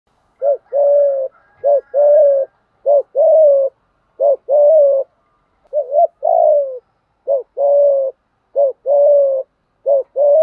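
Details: Spotted dove giving provoking fighting coos, used to train decoy birds to call. Low, mellow coos come in quick pairs, a short clipped note followed by a longer drawn-out coo, repeated steadily about every second in a quiet setting.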